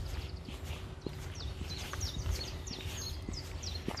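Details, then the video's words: Birdsong on an early spring walk from Bromsgrove to Tardebigge Reservoir, 3 April 2020; a bird repeats short high sliding notes roughly twice a second over low rumble and footstep thumps. "bird song"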